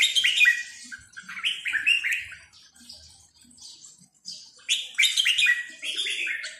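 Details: A red-whiskered bulbul delivers its 'sai nap dok' style song, with clear, chortling whistled phrases. Each phrase is a rapid rolling burst of up-and-down notes, and there are four or five bursts with brief quieter gaps between them.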